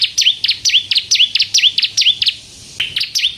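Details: Spirited bar-winged prinia song meant to provoke other birds into singing, rapid alternating sharp high ticks and swooping whistles, steady for over two seconds before a brief pause and a final few phrases.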